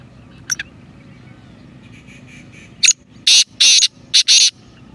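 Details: Black francolin calling: a brief faint note, then a harsh, grating phrase of four or five loud rasping notes. There is a quiet low hum in the background.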